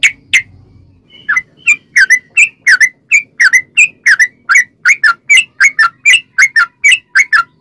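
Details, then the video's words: Lure recording of sooty-headed bulbul song meant to set other bulbuls singing: after a few scattered notes, an unbroken run of short, clear whistled notes, repeated more than once per second, each with a quick up-down inflection. "trucukan gacor ROPEL PANJANG buat pancingan trucukan agar bunyi"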